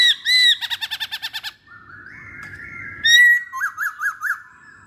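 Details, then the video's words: Used as a lure to get other masked laughingthrushes singing, this song opens with two loud notes and a rapid pulsed rattle, then after a soft held tone gives a strong whistle and a short row of rising-falling notes. "Pancingan Poksay Hongkong"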